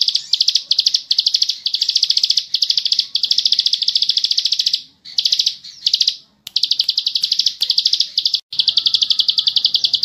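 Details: Bar-winged prinia, known locally as ciblek sawah, in a long rapid trilling song: dense runs of high, fast repeated notes broken by brief pauses, a steady chattering stream.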